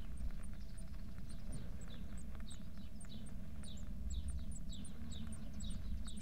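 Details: Eurasian blue tits at their nest on 2 May 2024, in the very early morning around 5:40–5:50 before the light is on and as feeding begins, give thin, very high, short notes, several a second, some sliding downward, over a low rumble and soft thumps.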